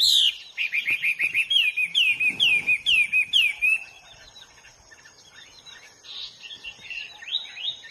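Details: A free-living Hwamei sings a clear series of about seven loud descending whistled slurs, each repeated roughly every half second, then falls to quieter, scattered warbles with a faint thin whine persisting.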